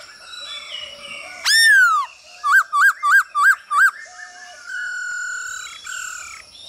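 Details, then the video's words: Male Black-throated Laughingthrush singing to a female's calls, meant to coach birds' singing: one loud falling whistle, then five loud upswept notes in quick even succession, then quieter sustained whistles. "Khướu trống hót múa cực đỉnh kèm tiếng mái ro kích quá hay"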